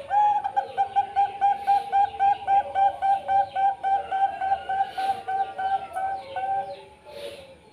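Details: Zebra dove of the Bangkok perkutut variety singing a rapid, even run of mellow, hollow cooing notes at three to four per second, which loosens and fades toward the end with a few softer, scattered notes.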